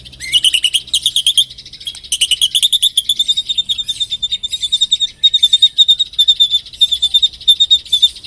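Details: White-rumped shama song used as a lure (pancingan) to trigger singing: long, continuous high chattering trills of rapid clicking notes, broken into bursts, with a steady ticking pulse throughout.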